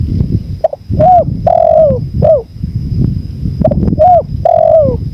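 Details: Spotted dove heard in a bird-training recording blended with wind: two full cooing phrases, each a short clipped note, an arched coo, a long falling coo and a final short coo, against rumbling wind and a thin continuous whine.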